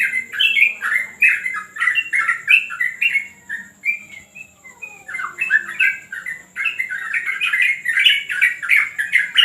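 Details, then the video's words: Yellow-vented bulbul being trained on a terrace sings a long run of fluty, bubbling phrases, slowing to a few scattered notes before a fast chattering finish. "ngetrek burung trucuk"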